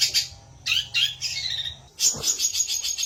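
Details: Long-tailed shrike song, varied and scratchy: short high notes, rising whistled phrases, then a dense, sustained high chatter after a brief gap.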